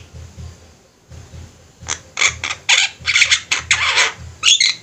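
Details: Many Javan mynas calling actively together for a bird-training recording; after a quiet second, loud scratchy squawks and grating notes pile up in irregular bursts, roughly two per second, with a low hum underneath.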